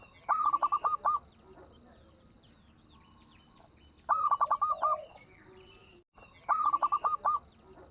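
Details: Local zebra dove lure song with a small voice, meant to make other doves join in: three bursts of quick staccato cooing notes, some ending in a lower purring note, with faint chirps of other birds behind.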